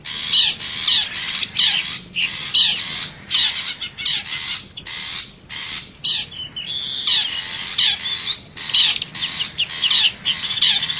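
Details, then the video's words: Wild forest long-tailed shrike lure call for drawing in wild shrikes: long run of harsh, squawking bursts and clipped whistled notes, irregular rhythm, broken by a few short pauses. "suara pikat burung cendet hutan"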